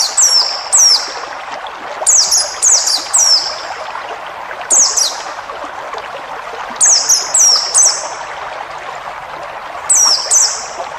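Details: White-eye in a forest-style training recording for cage birds: clusters of two to four high, sharply falling whistled notes, bursts recurring every two to three seconds over a steady rushing hiss.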